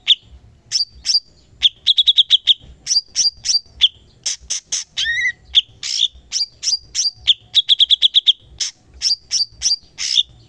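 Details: Master song of a cucak cungkok for tutoring songbirds, long and busy: bright repeated chip series alternate with harsh scratchy notes, with one dipping whistled phrase midway, little pause between phrases.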